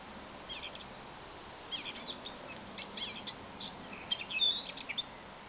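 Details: A Eurasian blackcap sings deep inside a hedge on 21 April 2011, giving a quiet, scratchy warble of quick high chirps in short bursts over a steady background hiss.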